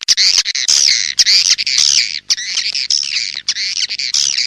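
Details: Swiftlets calling in the rainy season: dense, shrill twittering chirps, rapid and overlapping, with short squeaky bursts following one another almost without pause.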